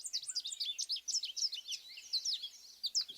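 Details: American goldfinch (Spinus tristis), a backyard bird, singing a long, droning, rambling run of high, squeaky twitters and sweet slurred notes that carries on without pause.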